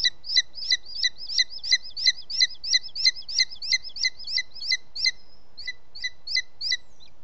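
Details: Male booted eagle carrying a bird as prey late in the evening of 18 June 2017 in Ports Natural Park, Catalonia: a long even series of high, sharp yelping notes, roughly three per second, briefly pausing near the end.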